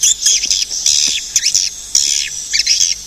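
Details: Swiftlet giving short bursts of sharp, high twittering chirps, several quick clusters separated by brief pauses.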